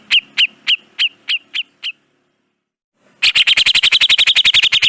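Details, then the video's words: Grey-cheeked bulbul tutor recording: seven spaced, sharp chirps, a second of silence, then a dense rapid burst of buzzy chattering notes. "Masteran Burung Cucak Jenggot Dijamin Langsung Nyaut"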